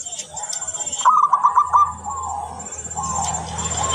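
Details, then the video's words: Clear song of a local zebra dove, used as a lure: one short phrase of rapid, pulsed rolling coos, set against steady background noise and faint rustling. "Perkutut lokal gacor sangat jernih suara terbaik buat pancingan"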